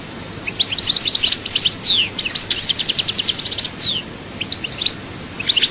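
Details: Souk Ahras goldfinch in full song: a continuous, fast, silvery twitter of chirps, rising slurs and a quick repeated trill, trailing off into a few isolated notes.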